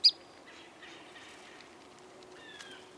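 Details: American Tree Sparrow, a winter visitor to Illinois from the far north, gives one sharp, high chip, then faint, thin whistled notes and a soft, sliding phrase near the end, over quiet background hiss.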